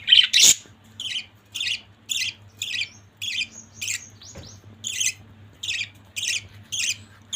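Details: A family of pet budgies: after two loud squawks, a steady series of short raspy chirps repeats roughly every half second, with a low hum in the room.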